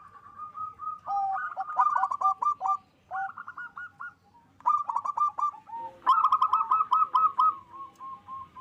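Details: Loud local zebra dove singing actively to stir breeding drive: repeated rapid rolling coo trills in short phrases, overlapping slightly with softer coos, and a strong final trill near the end.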